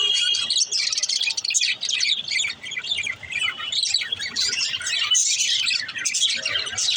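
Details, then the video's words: Budgerigar mother in her nest pot, with a dense, continuous chatter of high chirps, warbles and short squeaks from several birds, busy and overlapping throughout. "Mother budgie in their pot l birds chirping sound"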